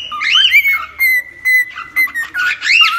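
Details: Cockatiel holding a long, level whistled tone, broken by short bright chirps and a final looping, up-and-down squawk.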